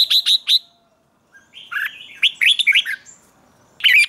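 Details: Red-whiskered bulbul singing in the morning for training: rapid clipped high notes, then a run of bright, bouncing warbled phrases, ending with another sharp burst; clean recording with no other sounds.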